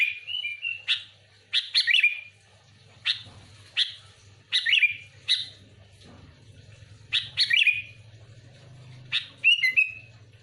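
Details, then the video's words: Sooty-headed bulbul, genuine lively singing used as a lure for other bulbuls: bursts of fluty, downward-slurred whistles spaced about a second apart, with a steady low hum underneath. "Suara burung kutilang gacor full Asli,,cocok untuk pikat Kutilang ribut"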